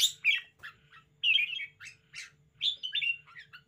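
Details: Red-whiskered bulbul kept as a cage bird and showing off spiritedly, giving loud squawky chirps and short warbled phrases in irregular bursts, each note sliding down in pitch, with brief gaps between.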